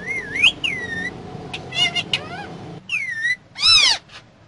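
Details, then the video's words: Parrot riding in a car produces a rising-then-falling whistle, gurgling chatter, another swooping whistle and a loud rough squawk, with low road noise behind. "Mitthu Talking In Car"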